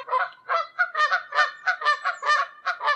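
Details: Wild Canada geese (Branta canadensis) fly high above the ground somewhere in Canada, giving flight calls. Several birds overlap in loud, nasal, two-toned honks, about eight in three seconds.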